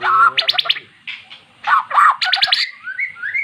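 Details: Formerly mute magpie-robin responding to played-back recorded song; loud harsh rasping bursts with rapid repeated notes, followed by short rising whistles.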